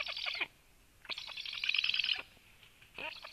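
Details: Black woodpecker recorded at 13:06 as the female brought a lot of food; three bursts of harsh, buzzy, high chattering, the middle one lasting about a second, separated by short pauses.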